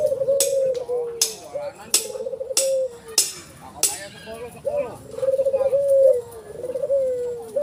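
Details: White collared dove with a black collar cooing in low, soft drawn-out phrases with brief rolled notes between them, while loud regular tapping clicks and some voices sound over the first half.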